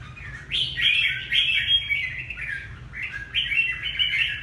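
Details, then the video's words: Ha Tinh red-whiskered bulbul from Vietnam singing two bright, rich warbling phrases, each about a second and a half long with rising and falling slurred notes, separated by a short pause; low hum underneath. "Chào mào Hà Tĩnh bộ đẹp"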